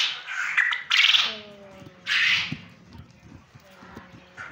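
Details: Male quail on a farm in Punjab, Pakistan, giving harsh, noisy, raspy calls, two main bursts about a second apart, over steady low background hum.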